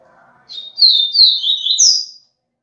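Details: Double-collared seedeater singing in the viviti style: a loud phrase of about a second and a half made of sweet, slurred, high whistles that sweep down and up, ending on a brighter rising note, with a faint soft tap near the end.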